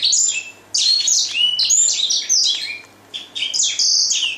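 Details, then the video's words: Song of a grey singing finch: bright bursts of rapid twittering and clear whistled notes, broken by short pauses, mixing steady high tones with quick downslurred chips. "Greysinger singing المغني الافريقي"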